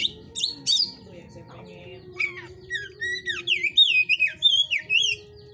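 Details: Caged Oriental magpie-robin at a breeder's enclosure singing in the 'hot type' style: clear, varied whistled phrases with rising and falling slurred notes, delivered in a rapid run after a few harsh opening notes. A low steady hum sits underneath.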